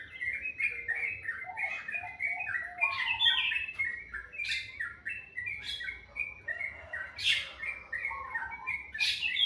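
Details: Morning birdsong described as very sweet: a dense chattering warble punctuated by sharp high clicking chirps every second or two, with a faint low hum underneath.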